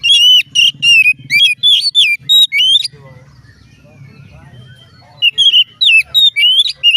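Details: Oriental magpie-robin song said to make other magpie-robins join in: loud whistled phrases of sliding and rising notes with sharp upswept chips, a burst for three seconds, a quieter pause with faint chatter, then more whistling.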